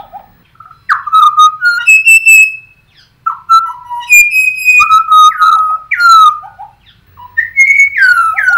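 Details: Bird song in Australia: loud, clear whistled phrases, some steady, some sliding down or up, given in bursts with short pauses, rich in overtones and very close.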